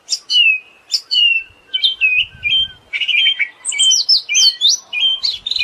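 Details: Siberian thrush song: a steady run of short, high whistled and warbled phrases, several rising and then falling, given almost without pause. A few faint low thumps are also audible.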